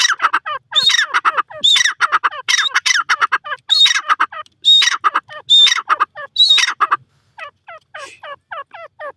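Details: Grey francolin (teetar) calling: rapid series of harsh, scratchy notes in rhythmic phrases with louder ringing high notes about every second, fading to quieter repeated notes at the end.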